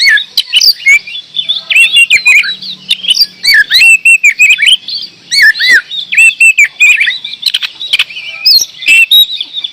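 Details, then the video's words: Oriental magpie-robin (kacer) from Indonesia singing vigorously ('gacor'): a nonstop stream of varied whistled phrases, with swooping, upslurred and downslurred notes mixed with sharp clicky bursts, over near-silent background. "Kacer gacor door"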